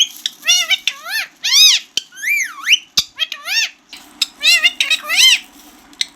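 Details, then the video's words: Green parrot talking, arching harmonic syllables and a swooping phrase, two sharp clicks, then a further run of speech-like notes, with a faint hum beneath. "Talking parrot# green parrots# bolane wala tota#"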